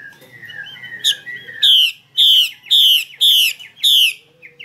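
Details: Female Chinese hwamei calling to draw song from males; a run of falling whistled slurs is followed by five loud grating notes repeated about every half second, ending with a soft whistle.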